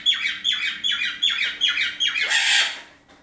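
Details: Pet parrot recovering indoors with a bandaged broken wing, calling in the morning: a series of about seven harsh, rasping squawks in steady succession, ending in a louder, broader screech.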